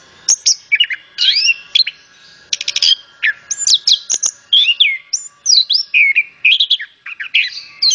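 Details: Used to set other birds singing, this orange-headed thrush song pours out loud rising and falling whistles and buzzy chirps in close-packed phrases, some mimic-like, over a constant low hum.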